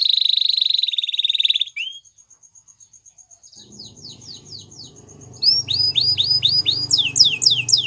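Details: Waterslager canary song opens with a fast buzzy trill, pauses for soft repeated ticking, then resumes with loud rapid falling notes over a low background hum.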